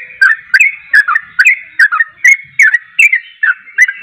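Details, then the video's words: Energetic yellow-vented bulbul song meant to make other birds respond: rich, gurgling two-part notes with falling slurs, repeated roughly every half second against a thin constant tone. "trucuk anda pasti langsung nyaut gacor dengar trucuk ini"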